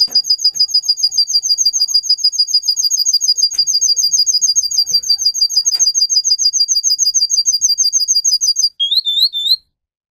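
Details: Russian canary bred for singing, a model for young canaries learning song: a long, rapid, steady trill of high repeated notes, about three per second, ending in a few lower upslurred whistles.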